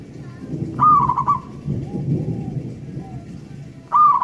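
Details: Two cooing phrases from a local wild zebra dove, about three seconds apart, each a clear rising note dropping into a quick trill of pulsed coos, heard against steady low rumbling noise.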